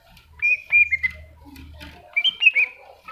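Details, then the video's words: Masteran-style greater green leafbird song: two short bursts of clear whistled notes, flat and slightly falling, over a faint low hum. "Cucak Hijau Masteran"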